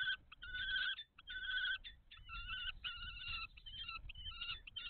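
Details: Common kestrel at the nest box during a food transfer, 17 May 2023: loud, nasal, wavering whining calls in drawn-out bursts of about half a second, several in a row with short pauses between.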